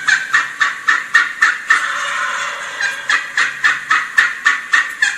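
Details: Wild Turkey hen giving excited yelps that stop whenever the gobbler gobbles; she goes quiet to listen. Quick raspy yelps about four a second, with varied pitch, broken midway by a rough, drawn-out stretch before the yelping resumes.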